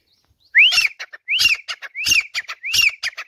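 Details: Caged desi francolin (teetar) calling from a swing perch: four loud phrases, each a rising whistled note followed by quick harsh clicking notes, repeated roughly every three-quarters of a second.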